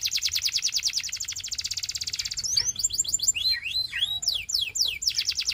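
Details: Belgian canary delivering a fast rolling trill for over two seconds, then switching to wavy, looping whistles and sharp sweeps before a final rapid trill.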